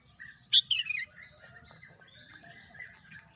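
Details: Bird singing amid green natural scenery: one sharp high note followed by a quick run of descending chirps, over a steady high-pitched insect drone.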